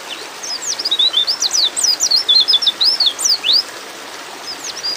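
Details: High-pitched chattering call of a female white-eye in breeding mood, summoning a male: about three seconds of fast, thin, swooping chirps, then quiet with a few faint notes at the end.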